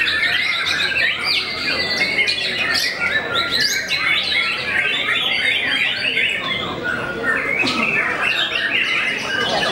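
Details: White-rumped shama, a renowned bird that intimidates many rivals, delivering bursts of loud, varied chirps, squeaks and whistled phrases in rapid succession, with a few sharp high notes standing out.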